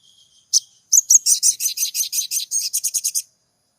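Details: Crimson sunbird song meant to stir a silent caged bird to sing: one or two sharp high notes, then a fast, dense run of shrill, buzzy chirps that slows slightly toward the end, about two and a half seconds long.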